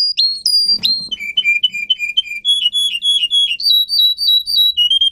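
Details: Russian canary song for training other canaries: high descending whistles, a bubbling run of lower notes, then repeated rising high syllables and a closing whistle, with a faint hum in the background.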